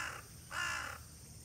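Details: A crow gives one harsh, hoarse caw about half a second long, just after the tail end of another, near two young raccoon dogs resting; a low hum runs underneath.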